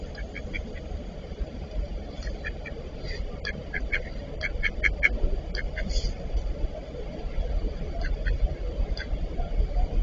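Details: Eastern spot-billed duck pair fighting: rapid bursts of short, nasal quacks, several in quick succession and then pausing, repeated throughout over a steady low rumble of background noise.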